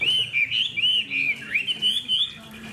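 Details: Lively caged hwamei with a fanned tail pours out a clear whistled song. Looping, slurred notes rise and dip in rapid phrases, several per second, then end in a brief quieter pause.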